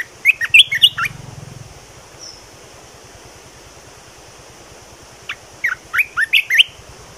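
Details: Bulbul giving two phrases of quick, bright whistled notes, one at the start and another after a long pause near the end, over a faint steady background hum.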